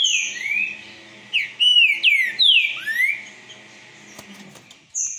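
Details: Green-winged saltator, a fast, imposing song; loud clear whistled phrases sliding up and down, several quick slurred notes in a burst, then pauses, with a faint whistle starting again at the end.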